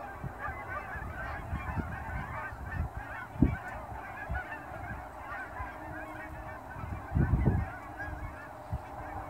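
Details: Hundreds of Canada geese at sunrise in fall, heading off ponds to feed in grain fields near an airport in Dawson Creek; constant background honking with a sharp loud honk mid-clip and a louder cluster later.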